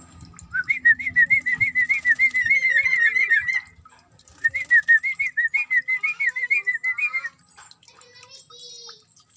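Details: Sooty-headed bulbul in a cage during a bath, giving two long bursts of rapid, bubbly whistled notes separated by a brief pause, with higher twittering and faint splashing in the background.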